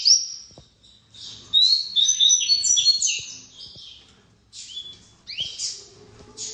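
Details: Coleiro seedeater song: a long warbled run of quick high chirps and slurred whistles, then a pause and a few more bright phrases, with faint ticking noises below.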